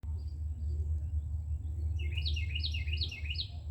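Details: Carolina wren nestlings in a nest on an outdoor shelf, being fed: a burst of high, rapid, repeated squeaky chirps in the second half, over a strong low rumbling hum.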